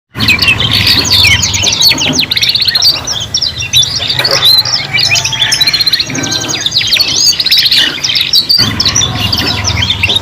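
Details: Young canaries, three together, learning to sing: dense overlapping song of rapid high trills and chirps, short twittering phrases running almost without pause, with a steady low rumble in the background.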